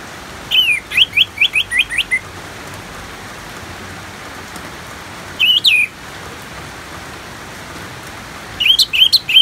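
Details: Orange-headed thrush song in 'ngeplong' style over natural rain: a quick run of about seven repeated whistled notes, a lone slurred phrase after a pause, then another fast series, with constant rain patter beneath.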